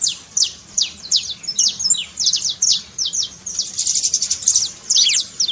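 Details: Saffron finch singing in the trincado style, meant to fire up a quiet canary: rapid high chips and steep downslurred notes in dense, uneven bursts, with brief pauses between runs.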